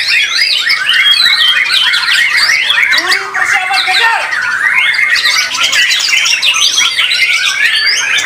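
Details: White-rumped shama song at a singing contest: strong, rapidly shifting whistles and chattering notes, with a few lower slurred calls near the middle and other birds overlapping.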